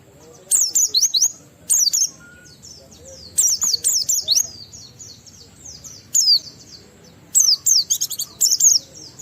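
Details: Oriental white-eye in 'ngalas' song with 'riwikan' fill-ins, aimed at making other white-eyes sing: repeated bursts of shrill, high, zigzag chirps, each lasting about a second, with pauses between bursts.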